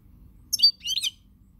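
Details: European goldfinch recorded 20 March 2020: two quick high bursts of tinkling, twittering notes, the first louder with a piercing edge, then brief silence against faint low background hum.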